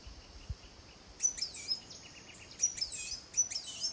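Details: Blue-and-gold tanager in Costa Rica giving clusters of piercing high chips and short slurred notes in bursts about a second apart, over a constant hiss of forest background noise.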